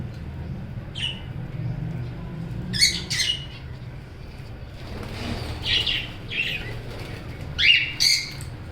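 Budgerigars give short, scratchy chirps and squawks in bursts, with low hum beneath.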